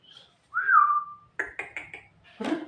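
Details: A Javan myna, which can mimic a person coughing, gives a slurred, falling whistle, then four quick harsh notes and a rough, cough-like burst.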